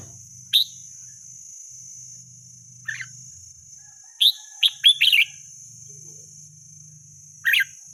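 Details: Red-whiskered bulbul in the wild, with sparse, bright, chirpy song phrases: a single note early, a softer one near three seconds, then a rapid burst of three or four warbled notes and a final phrase, over a constant high drone.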